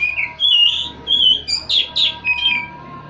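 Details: Oriental magpie-robin singing a varied song of loud whistled and slurred phrases, some rising, some falling, in quick bursts about every half second, with a faint steady hum underneath.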